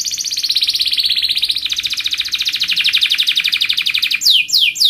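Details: Canary singing vigorously as a lure song to provoke other canaries: a loud, continuous rolling trill of rapid notes for four seconds, then sweeping descending whistles, over a faint steady low hum.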